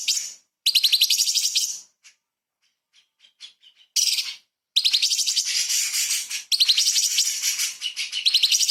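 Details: Shama and magpie-robin training recording of a light-vented bulbul, locally cucak cungkok, in 'tembakan' song with small-bird fills; rapid shrill chattering trills, scattered short chips in a pause, then long dense runs.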